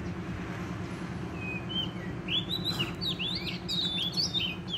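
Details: Wild forest Oriental magpie-robin singing vigorously during trapping: after a quiet start, bright whistled phrases begin, short sliding and looping notes, varied and quick, over a steady low hum and background rumble.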